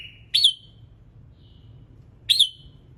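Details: Red-whiskered bulbul in morning song, meant to stir other birds into singing: two loud, clipped notes with fading tails about two seconds apart, then a soft whistle between them, with light low background noise.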